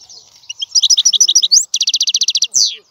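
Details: European goldfinch song: quick twittering phrases building into a fast, even rattle of about a dozen buzzy notes, ending with a downward-sliding nasal note.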